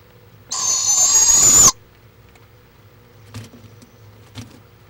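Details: Barred owl in Florida on a live nest camera, March 23, 2015: one loud, rasping hiss-screech of about a second, high-pitched and breathy, then quiet with a background hum and two soft taps.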